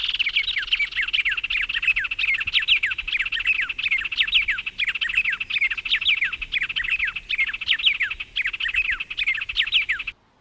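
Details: Ten seconds of steady birdsong from the Brazilian Cerrado, a dense stream of sharp chirps and falling whistled notes repeated over and over, stopping just before the end.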